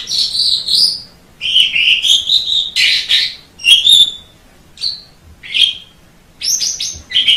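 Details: Javan pied starling singing a string of loud, harsh, chattering phrases mixed with short whistled notes, separated by brief pauses, with a faint low hum behind.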